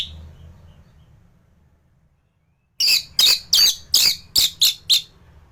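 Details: Orange-headed thrush song meant for training other birds: after near silence, a series of seven loud, harsh, high chirped bursts spaced about a third of a second apart.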